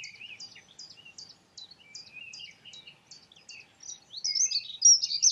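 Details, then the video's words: Dunnock song, opening with a run of thin, evenly spaced high notes over soft lower twitters, then ending in a quick, bright, scratchy warble that grows louder. "Dunnock sings. Heckenbraunelle singt."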